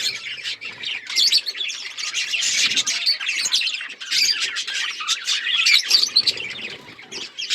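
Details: Australian parrots chirping together, a dense, unbroken chatter of high twittering notes and short squawks from many birds overlapping, with the volume rising and falling in waves.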